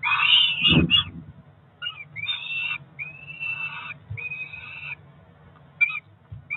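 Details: Two Peregrine falcon chicks about four weeks old, ringed, calling at a nest in Cromer during breakfast on 2 June 2023. Loud, harsh, drawn-out screeching wails repeat in quick bursts over a steady low hum.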